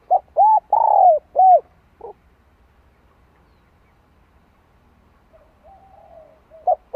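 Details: Spotted dove cooing in the '2 hậu lỡ' pattern to rouse a newly caught bird: four quick low hoots with a longer one among them, a soft note, a long pause with faint murmurs, then another hoot.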